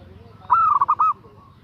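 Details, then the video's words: Female zebra dove calling to attract a male, giving a brief half-second phrase. A held note breaks into rapid warbled pieces over faint low background rumble. "SUARA BETINA GACOR MENGGODA JANTAN‼️Perkutut Betina Memanggil Jantan"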